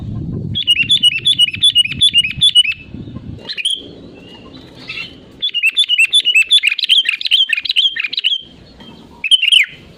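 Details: Sooty-headed bulbul in full, active song, a natural recording meant to prompt other birds into singing: two long runs of quick, bright, chirpy notes repeated several times a second, separated by a short gap and ending in a brief final burst.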